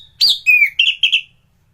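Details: Brief phrase from a champion thrush used to train other birds: a bright high whistle sliding downward, followed by a level slurred note and a pair of quick doubled whistles.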